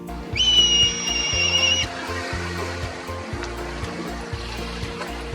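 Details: A black kite, found across Japan near coasts and rivers, gives a long, high, steady whistle, the drawn-out opening of its familiar "pee-hyoro" call, over soft music.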